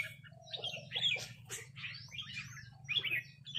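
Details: A red-whiskered bulbul answers a resident territorial bird with squeaky, slurred rik notes and rasping chatter in short clusters. A low hum runs underneath.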